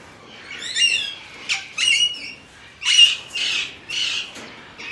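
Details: Alexandrine parakeet calling in a run of harsh, raspy squawks, roughly one a second, some rising and some falling, each loud and broad.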